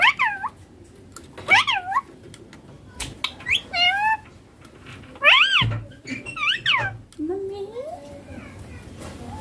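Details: Baby Indian ringneck parakeet making its natural sounds: bursts of shrill, squeaky notes that rise and fall sharply, given in short groups with pauses, plus a lower drawn-out whine near the end and a few soft clicks.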